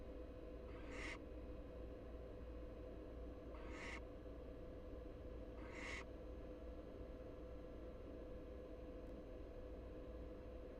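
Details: Inside a Florida nest box watched by a live camera, three young American barn owls, two big and one tiny; three short breathy screeches roughly every two and a half seconds, then quiet hum.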